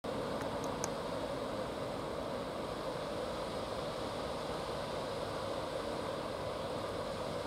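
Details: Steady broadband rumble like wind or distant traffic beside a river, with a few faint ticks early on and no clear animal calls.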